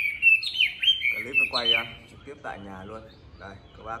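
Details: Caged Chinese hwamei from Hanoi, Vietnam, tame and a good fighter: rich warbled whistles for two seconds, then low human voices talking over faint song.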